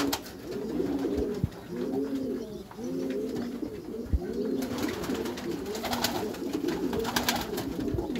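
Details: Meulemans racing pigeons kept in a backyard loft, giving low, arching coos one after another, each a rising-then-falling moan, overlapping birds cooing throughout, with occasional clicks and wing or loft knocks.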